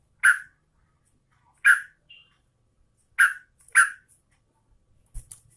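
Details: A female yellow-vented bulbul calls a male with four punchy, short chirps at uneven intervals of about half a second to one and a half seconds, plus a faint thin whistle and a soft knock near the end.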